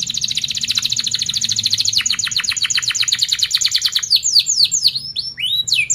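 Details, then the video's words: Fast tight-rolling canary trill meant to teach young canaries their song: a long, dense, even run of high chips that speeds into quicker pulses, ending with several sharp descending sweeps. "Kenari gacor Cuit cuit Ngerol rapat seperti ini yG Paling Cepat MEMANCING KENARI PAUD BELAJAR BUNYI"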